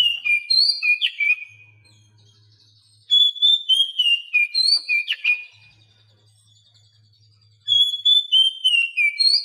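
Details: Oriental magpie-robin song used as a training recording to prompt silent, lazy captive birds to sing: bursts of loud, clear whistled phrases, rising and falling with sharp sweeping notes, repeated about every four seconds, over a faint low intermittent hum.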